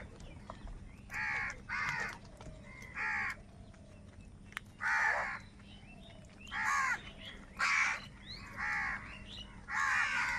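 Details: Harsh, nasal caws from crows squabbling over food, heard live. About nine separate rasping calls are spaced unevenly across ten seconds, with faint background hiss between them.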